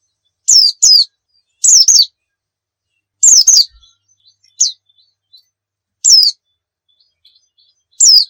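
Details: Oriental white-eye in full song, used as a tutor for other birds: short paired bursts of high, sharp, twittering notes separated by pauses of about a second, spaced irregularly.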